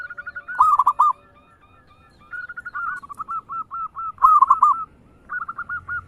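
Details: A local zebra dove sings fast 'ngayer engkel' phrases, meant to stimulate other birds to sing. Two loud bursts of arched coos are each followed by long chains of quick, even staccato notes, with a short quiet gap.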